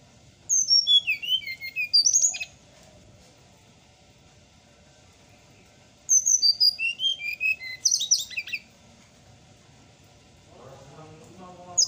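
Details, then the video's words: Morning song of a brown-chested jungle flycatcher: two bursts of sharp, high whistled notes stepping downward, each ending in a rattly flourish, separated by a quiet pause, with a low chattering trill near the end. "suara srdc di pagi hari"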